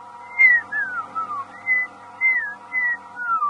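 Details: Black-crowned Tchagra calling at a mixed bird feeding party on a morning drive in late August, a wobbly, slurred whistle like a drunk person whistling: a series of about six clear descending slurred notes, each under half a second, with a steady low hum beneath.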